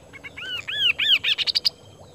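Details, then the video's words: Active kaso-kaso bird in Indonesia delivering bright arched whistles, each swooping up then down, running faster into a stuttering string of short high notes over faint background hum. "BURUNG KASO KASO GACOR GIPAN"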